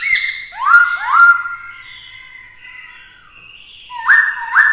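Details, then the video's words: Black-throated laughingthrush in a provocative fighting song, a female present: two loud swooping upslurred whistles, a long fading level note, then two bright rising phrases at the end. "Khướu mộc hót kích đấu - Khướu bạc má hót nhiều giọng hay"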